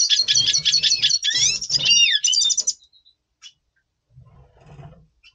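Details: Before breeding in November 2023, a Double Pastel red siskin delivers quick high twittering notes ending in a descending slurred note, then falls silent apart from faint rustling.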